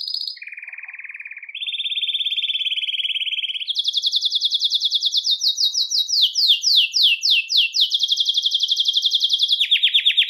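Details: Belgian canary singing to stimulate males and bring females into breeding condition; low buzzy trills step upward into a long fast rattle, broken by several sharply falling whistled sweeps.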